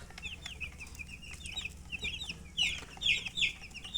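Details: Baby chicks chirping: steady stream of high peeps that grows louder and denser in the final second and a half, with several birds calling at once.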